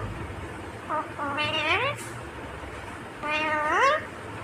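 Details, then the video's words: Two speech-like phrases from an Indian ringneck parrot, each a rich harmonic utterance sweeping upward then falling, separated by about two seconds of quiet room background. "Natural Sound of Talking Ringneck Parrot"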